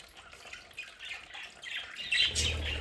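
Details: Budgies kept at home make quiet buzzy warbles that grow into a louder sharp chirp near the end, joined by a low rumble.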